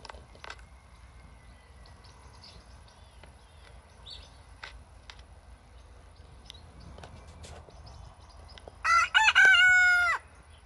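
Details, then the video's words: A Wyandotte rooster in a kitchen garden gives one loud, harsh crow near the end, rising then falling over about a second and a half, after quiet with faint ticks and clucks. "Wyandotte rooster crowing"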